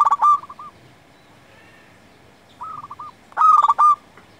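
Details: Vigorously singing local zebra dove, a recording meant for luring and tutoring other doves: two loud rolling coo phrases of quick staccato notes, separated by a softer, more distant stuttering coo.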